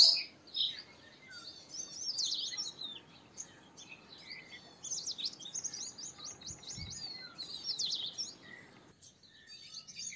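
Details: Purple sunbird song: scattered bursts of high, thin twittering and squeaky chirps, with short gaps between phrases and a faint hiss behind them.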